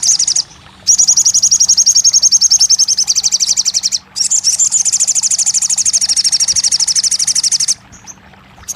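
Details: Crested jay (sogon) singing, offered to rouse a bird that has gone quiet into singing and answering: long, fast, high buzzy trills of rapid repeated pulses, broken by one brief pause, over faint steady low hum.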